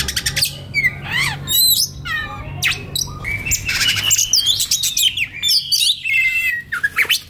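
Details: White-rumped shama singing a relaxed song, used as a master recording for training young wild-caught birds; varied rapid whistles, sweeping rising and falling notes and chattering phrases, with a faint low hum beneath.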